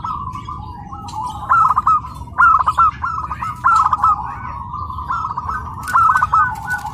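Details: Tame, home-kept local zebra dove at its first contest in Karawang, singing after 10–20 minutes of adapting: soft, staccato cooing phrases, each a quick run of rolling notes, repeated several times against a low background hum.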